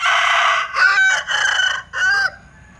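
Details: Close, loud crow from a Linh Kê rooster with a peculiar voice, split into four harsh segments with brief breaks and a sliding ending.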